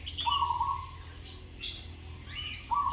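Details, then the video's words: Zebra dove during training, song with good phrasing: one long rattling, stuttered coo phrase, then another starting at the end, while other small birds chirp higher in the background. "นกเขาชวาฝึกต่อ เสียงเพราะๆ เดินกลอนดีๆ"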